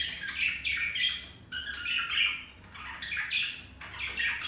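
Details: Pet male budgerigar courting a female, chirping alongside beak tapping: a continuous chattering warble of scratchy, rising and falling chirps, in bursts of about a second, over a steady low background hum.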